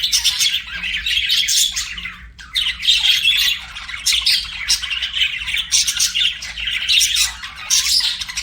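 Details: Pet budgerigars singing and chirping: dense, continuous scratchy warbling with squawky bursts, nearly unbroken across the clip with brief dips, likely several birds together.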